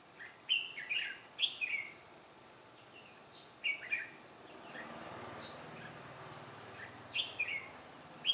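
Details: Red-whiskered bulbul decoy with white cheeks, used on 2 July 2018 to trap wild birds, flicking its wings and beating its tail. Bursts of bubbly, whistled two-to-four-note phrases come in three spaced groups over a steady high insect drone.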